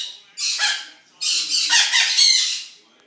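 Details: Noisy zoo birds on a morning: two loud, rough screeching squawks, the second longer and wavering, with a quiet gap between them.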